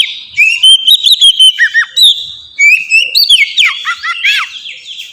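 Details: Kacer ngeplong singing, an Oriental magpie-robin lure for training pet birds: long sliding whistles mixed with chirps and sharp falling notes, continuous and richly varied.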